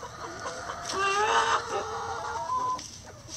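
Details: Backyard rooster crowing while the flock forages through pine needles and leaves for bugs, worms and pecans; one drawn-out harmonic crow of nearly two seconds, rising then holding steady, over soft clucking and rustling.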